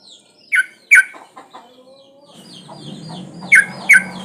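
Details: Breeding female trucuk bulbul calling for males: paired sharp notes at the start and end, separated by softer chatter, with high twittering of other birds and a rising background rumble.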